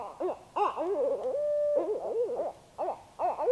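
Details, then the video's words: North central Kansas, night: a barred owl pair in apparent courtship, mixing choppy cackles with a long level wail held for about a second, then more bouncing hoots and a short pause before a final loud burst. "Barred Owls Calling at Night"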